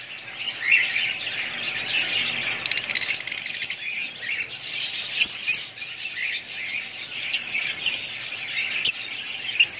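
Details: Budgies twittering in a continuous, high, scratchy stream, with crisp clicking notes and a few piercing chirps standing out in the second half.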